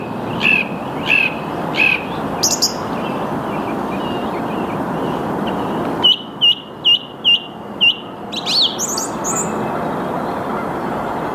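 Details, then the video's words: Early-morning song thrush in the Saarn-Mendener Ruhraue, Mülheim an der Ruhr, 8 March 2022 at 08:10: clear whistled notes repeated three times, a higher flourish, then a crisp note delivered four times in a row, with constant rushing background noise. "Song Thrush singing / Singdrossel singt"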